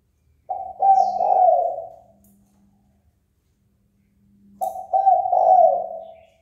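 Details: Spotted dove calling to provoke fighting: two low cooing phrases about four seconds apart, each a few short notes leading into a long fading coo.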